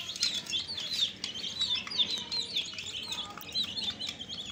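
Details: Fresh chicks cheeping as a crowd: bright, piercing short peeps, many curving downward, tumbling over one another without pause, while soft scuffling noise fills the background.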